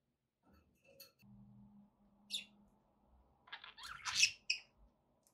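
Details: Pet budgerigars make faint ticks and short high chirps, which build into a louder burst of squeaky chatter near the end. A low steady hum runs beneath.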